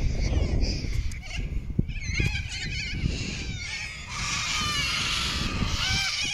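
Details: Many birds gathered in a tree in the morning in Sydney, Australia, making a dense, overlapping chorus of high chattering and squawking calls over constant low wind rumble.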